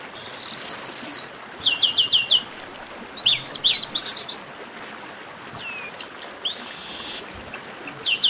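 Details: Chestnut-capped blackbird esquenta (warm-up) song: buzzy harsh notes, a quick run of chirps, a level whistle, then scattered downslurred whistles and another buzz.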